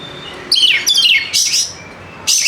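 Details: White-rumped shama in a lure to start reluctant birds singing: quick bright downslurred whistles followed by harsh high bursts.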